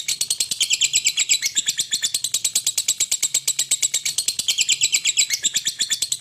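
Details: A lovebird keeps up a rapid, rattling run of high, squeaky chirps, pulsed quickly and evenly, sustained without pause.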